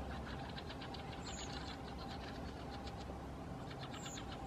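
A common kingfisher gives two thin, piercing high whistles about three seconds apart over a steady low engine-like rumble and crackly background noise.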